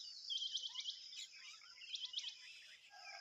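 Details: Tailorbird chicks being fed a big worm, begging: two short bursts of rapid, high, ticking chirps, set against a steady high insect-like hiss and faint scattered bird notes.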